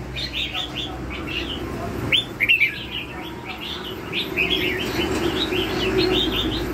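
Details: A red-whiskered bulbul delivers lân hầu bò song: bursts of rapid bright chirped notes, about three per second, in lively clustered phrases. A steady low drone sits in the background.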